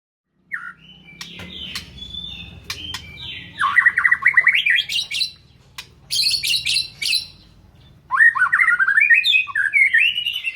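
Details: White-rumped shama singing a rich, varied song: bursts of fast trills, rising warbled runs and high chattering phrases separated by brief pauses, with a faint low hum underneath.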